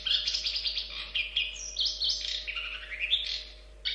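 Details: Continuous varied long-tailed shrike song of harsh, scratchy phrases and sharp high squeaks, some notes sliding upward, running without break before a short gap and a final burst.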